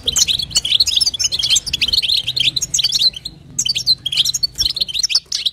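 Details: European goldfinch female giving calls meant to stimulate a male, a dense, fast stream of high tinkling twitters and liquid chirps, nearly unbroken, with one short gap near the middle.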